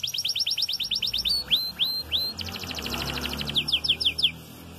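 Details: Red frosted canary singing while starting its moult, not yet doubling its song: rapid repeated high chirped trill, then a few slow downward-slurred whistles, then a buzzy fast trill and more quick slurred notes.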